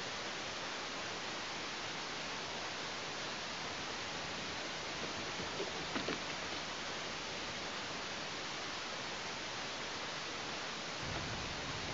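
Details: Steady broadband hiss like static or rushing air fills the whole stretch, with a faint brief rustle near the middle and no animal voice.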